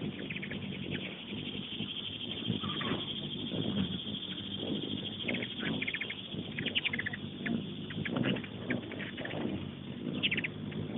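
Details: Several hummingbirds crowd a busy feeder by a kitchen window, giving scattered high chipping notes and short rapid chip series through the second half, with muffled household talk and hum underneath.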